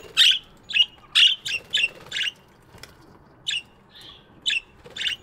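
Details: Budgies chirping in a morning aviary, a busy series of short raspy chirps roughly once a second, some quick doubles, with a soft warble between.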